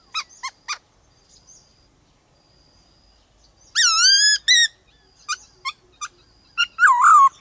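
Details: Black-throated laughingthrush song in the varied 'đảo giọng' style, used to rouse other birds and train young birds to sing wild-style: brief clicky notes, then a loud burst of bending harmonic whistles and a few sharp chips, with quiet gaps.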